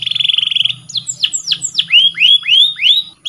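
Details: Canary song used as training material for other canaries: a fast buzzy trill, then downward-sweeping whistled notes, then a run of repeated rising, curving whistles at about four per second.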